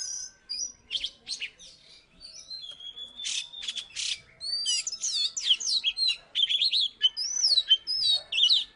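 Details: Energetic song from a former third-place Salatiga magpie-robin: clear high whistles, downslurred notes and fast chattering trills, mimic-like variety, delivered in tight phrases roughly every second.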